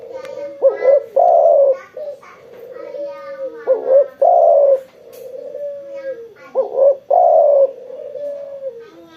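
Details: Spotted dove cooing actively after being sunbathed: three phrases about three seconds apart, each a short rising note, a loud steady coo, then a softer lower trailing coo. Quiet background.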